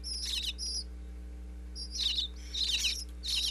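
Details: Baby bluebirds within a birdhouse in Pennsylvania, chirping for food from visiting parents, recorded via wireless mic inside: a few thin, high, fizzy chirp bursts in scattered groups, separated by quiet gaps.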